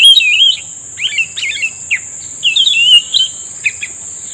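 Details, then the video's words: Cucak rumbai tungging answering a lure while being trapped: rapid bursts of bright, warbling whistles and short sharp slurred notes, phrases repeated in quick succession against a constant high-pitched insect drone. "pikat burung cucak rumbai tungging udah mengeluarkan rayuan mautnya"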